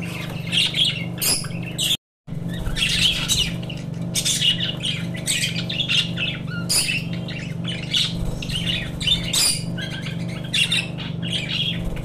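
Budgerigars chatter in a steady stream of scratchy chirps, warbles and squawks over a low hum.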